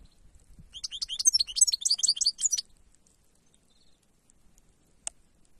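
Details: Goldfinch singing in the wild: a quick, tinkling twitter of high, jumbled notes for about two seconds, followed by silence and a single sharp click.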